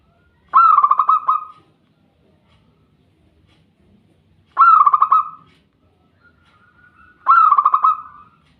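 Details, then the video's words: Perkutut, or zebra dove, cooing played as a therapy track to prompt birds to sing; three clear pulsed, rattling coo phrases about three seconds apart, each a fast run of notes, with quiet gaps between. "TERAPI PERKUTUT CEPAT BUNYI"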